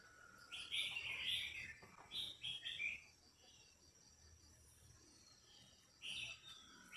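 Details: Female red-whiskered bulbul singing to stimulate a male, sound also used for pairing birds: short bright warbled phrases in bursts near the start, again around two seconds and at six seconds, with soft insect-like hiss and a steady faint high tone behind.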